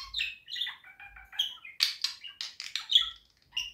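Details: Budgerigar chattering warble with chirps and short trills, then a quick run of harsh raspy squawks and clicks before bright whistled notes.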